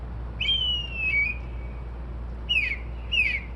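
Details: Night-singing mimic bird heard between 2:30 and 3:00am, copying car alarms and sparrows: one long, level whistle easing lower, then two short, bright slurred notes dropping in pitch, over constant low-pitched hum.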